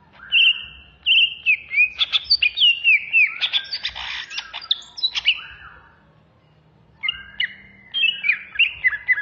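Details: A Banyuwangi green leafbird (Chloropsis sonnerati), singing in an agitated, raging mood, pours out a rapid song of sharp whistles, chattering notes and mimicked phrases, pausing briefly before another burst.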